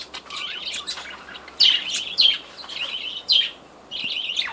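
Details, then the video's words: Budgerigar warbling in a breeding colony, a wavering chattering phrase broken by several sharp rising chirps, then a fresh warbled run at the end. "budgies breeding colony"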